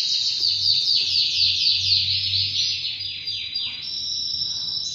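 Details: A two-year-old half-frill male canary, presented as a Spanish Timbrado and ready to breed, sings a high, continuous song of fast metallic trills and rolls over a faint low hum.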